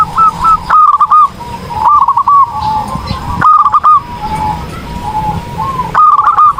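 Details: Zebra dove song recorded as a training tutor: four separate bursts of rapid, stuttering coos, each lasting about half a second, with quieter lower coos between them.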